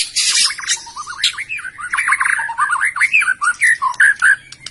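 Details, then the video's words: White-rumped shama from Medan delivering a fast jumble of lower warbled and rasping notes after a burst of high scratchy chatter, with varied rising and falling phrases. "kicau burung murai batu medan"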